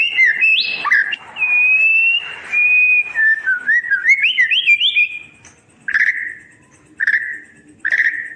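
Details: White-rumped shama singing for tutoring silent birds: pure sustained whistles, then rising and falling zigzag whistled notes, ending with three short downslurred whistles spaced about a second apart.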